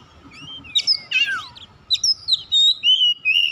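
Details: Oriental magpie-robin singing to provoke other birds into song: a scratchy twittering phrase, then clear, loud, drawn-out whistles sliding downward, over a low steady hum.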